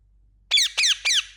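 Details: Three quick, shrill, downward-sliding chirps from an Indian ringneck parakeet, evenly spaced in under a second, over a faint low hum.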